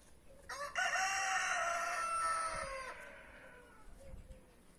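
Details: Free-range roosters in a back yard, breeds brahma, marans, naked neck and white star; one long loud crow held about two seconds then trailing down, with faint clucks and low background noise after.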